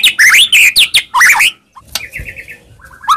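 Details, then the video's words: White-rumped shama singing as bait to excite a quiet shama: loud, varied warbling phrases that twist up and down, followed by a pause and softer, evenly repeated short notes. "Pancingan Handal Buat Murai Diam Seketika Langsung Emosi"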